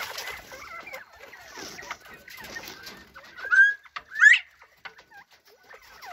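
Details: Bobwhite quail chatting: soft scattered chirps give way to two loud, sharply rising whistled notes, then a few quiet short calls.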